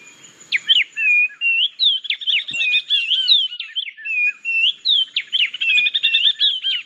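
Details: Oriole Warblers duetting, a species of thickets near water: a rapid interwoven run of clear, liquid whistles and sharp slurred notes, two voices trading phrases almost without pause.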